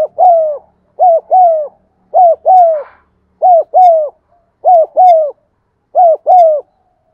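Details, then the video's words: Spotted dove calling, to encourage caged doves to coo: a rapid run of paired mellow notes, each pair a short coo then a longer slightly falling one, repeated about once a second. "tiếng cu thúc gù hay"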